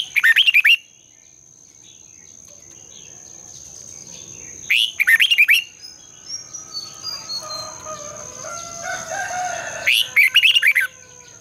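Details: Morning song of a red-whiskered bulbul, a lure bird in competitive style with a long twisted double voice. Three short rapid warbled phrases come about five seconds apart. Faint distant whistles fill the gaps over a constant thin high tone.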